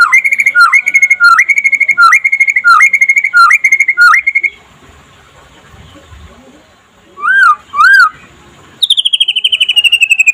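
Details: White-rumped shama (murai pastol) singing by day as a master recording for other shamas: repeated whistled phrases with downward flicks, a quiet pause, two loud arched whistles, then a high falling buzzy trill.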